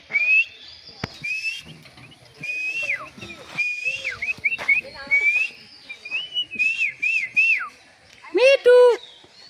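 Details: A talking common myna mimics human speech while its owner prompts it to say words, giving clear, piping whistles, some rising and others sliding down, in quick bursts, then a harsh, voice-like phrase near the end.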